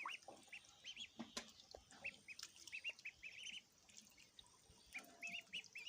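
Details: Little ducklings feeding, giving scattered high, short peeps among clicks, drips and splashy water sounds.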